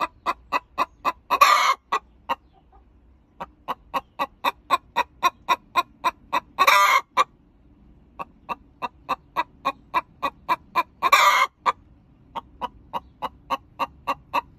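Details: An Olive Egger hen sings the egg song right after laying: steady rapid clucks, about four per second, broken three times by a loud drawn-out raspy squawk, faint hum behind.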